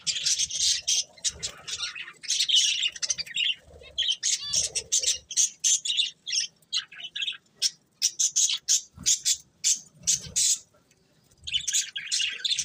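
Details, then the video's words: Budgies chatter loudly in rapid, scratchy high chirps, grouped into bursts of about a second with short gaps between, and occasional low soft sounds beneath. "Cute Budgies Chirping Sounds"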